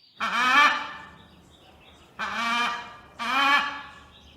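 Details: Indian ringneck parakeet mimicking speech, calling "mitthu": three drawn-out, voiced, speech-like utterances, each under a second, separated by short pauses.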